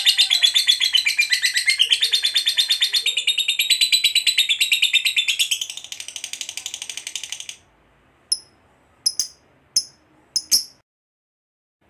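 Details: Lovebird long chatter (ngekek panjang) meant to provoke other lovebirds to sing; rapid high rasping notes for about seven seconds, fading, then a few separate sharp high chirps before silence.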